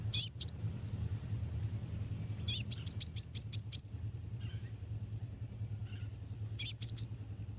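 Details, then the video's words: Konin calling to draw out rivals: high, piercing chirps in short bursts, the middle burst a fast run of about seven sharp notes, over soft low hum. "Konin bunyi manggil lawan"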